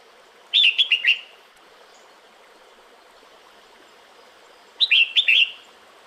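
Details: Red-whiskered bulbul female calling the male in breeding season, giving two quick bubbly phrases of four clipped whistled notes each, separated by roughly four seconds of quiet background hiss.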